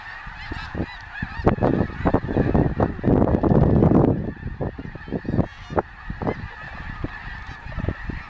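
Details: Large flock of snow geese at Bosque del Apache National Wildlife Refuge, a continuous dense chorus of nasal honking with loud rushing bursts and low rumbling noise throughout.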